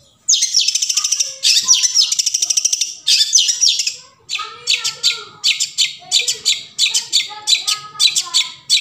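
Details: Long-tailed shrike forest sound meant to lure quiet shrikes into song: long rapid trains of rasping, stuttered pulses, then shorter grating bursts repeated about every half second.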